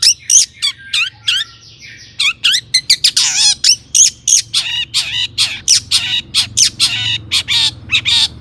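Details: Long-tailed shrike singing continuously, used to lure other shrikes into song: a few clear chirps, then a long stretch of harsh, scratchy, rapidly repeated notes with bright whistled inflections.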